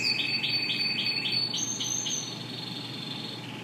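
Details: Yellow Spanish Timbrado canaries singing: fast, high, metallic rolling trills of evenly repeated pulses, about four per second, that shift tone midway and fade over a hissing background.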